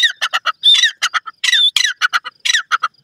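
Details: Grey francolin, known locally as desi teetar, calling outdoors in the countryside: a steady run of harsh, squawky notes, some drawn out and ringing, repeated several times a second without pause.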